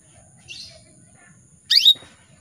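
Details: A soft, hissy note, then one loud, sharp upward-sweeping chirp from a female canary calling males, against a quiet background with a faint continuous high tone.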